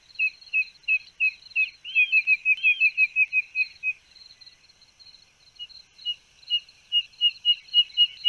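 A spotted nothura gives a long series of short, high peeping notes, about two per second, quickening midway, briefly fading, then resuming.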